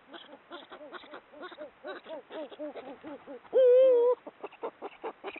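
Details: Eurasian eagle-owls (Bubo bubo hispanus) mating at night, a receptive female with a male; rapid stuttering series of soft hooting notes, interrupted by one loud, sustained, wavering tonal note before the quick chatter resumes.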